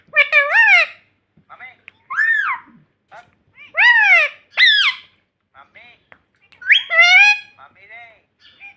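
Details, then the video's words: Talking pet parrot mimicking "mummy": a series of short, squeaky, speech-like phrases with arched harmonic contours, given in bursts with silent gaps between them. "Parrot Talking Mummy Mummy"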